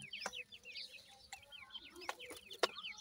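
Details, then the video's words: Faint chorus of Iranian francolin chicks, many small falling peeps overlapping continuously, with occasional clicks and knocks. "irani teetar k bachay boli kartry hn, best teetar chicks boli"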